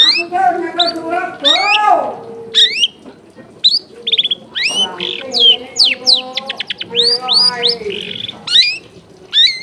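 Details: Long-tailed shrike tutor song used to provoke caged birds that stopped singing into song; harsh, nasal squawks mixed with quick rising whistled upsweeps and rapid chattering notes, a dense, energetic jumble of varied phrases throughout.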